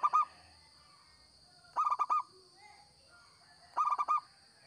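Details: Local zebra dove singing steadily, used as a lure call: repeated phrases of four or five fast, mellow cooing notes every two seconds, with soft faint calls between and a continuous high tone in the background.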